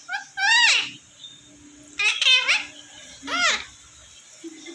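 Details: Indian ringneck parrot kept as a pet in a small room, known to say 'Kiwi cute' and 'I love you'; three high, strained, childlike spoken phrases with bending pitch, separated by quiet pauses, plus a low background hum.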